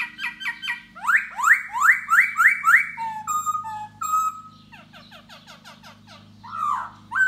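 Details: Courting laughingthrush singing and dancing for a female: pulsed notes, then a run of loud rising slurred whistles, clear falling whistles, and fast twittering, with a low hum throughout.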